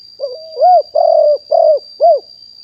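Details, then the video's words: Decoy spotted dove of fully wild stock, recorded live in 2021 for calling in wild birds, giving one phrase: a quiet wobbling introductory note, then four deep, hollow coos, two drawn out and slightly rough, the last short. A faint steady whine persists. "นกเขาใหญ่ป่าเต็ม100% บันทึกสดเสียงต่อนก2564"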